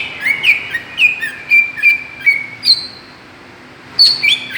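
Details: Greater green leafbird call played as a lure to provoke other birds, a series of bright slurred whistles at an even pace, a pause, then a final sharp whistle.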